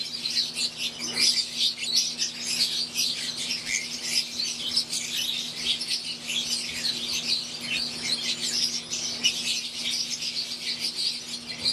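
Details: Softer, more distant chatter of aviary-kept wild-type green Fischer's lovebirds and Euwing birds: an even wash of tiny rapid chirps without clear pauses, over a steady low hum.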